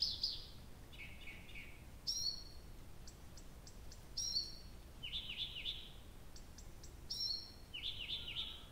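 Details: Night-singing nightingale at Abramtsevo in early June, recording begun 23:00 on 6 June 2021: bright rising whistles alternating with rapid repeated rattling notes and thin clicks, phrases recurring every couple of seconds.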